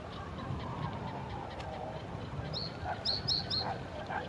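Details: A male Common reed bunting singing in a reed bed by the Diana memorial fountain gives a brief, jerky phrase of four or five high, chirpy notes, over a steady low rumble and faint lower calls.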